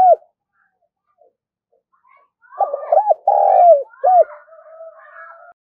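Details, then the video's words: Calling spotted dove used to lure birds: a short coo, silence, then two hoots, a long throaty coo falling away and a last arched note, with faint softer cooing trailing after. "tiếng cu gáy gọi - chim cu gáy kích bổi nhanh nổi hiệu quả"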